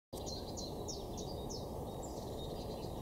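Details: Great spotted woodpeckers in a territorial fight in an orchard garden: a series of five sharp, high, slightly falling call notes about every third of a second, then softer chatter, over loud steady low background noise.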